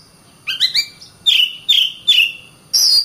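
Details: Oriental magpie-robin (kacer) giving a short fragment of song: a quick trio of rising chirps, then three clear slurred whistles and a final high note.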